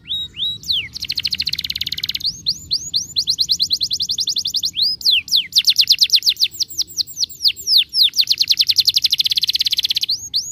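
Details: Star blue canary song, used to get other canaries singing and rolling: loud, fast rolls of sharp downward-swept notes repeated many times a second, broken by brief pauses and a few rising whistles.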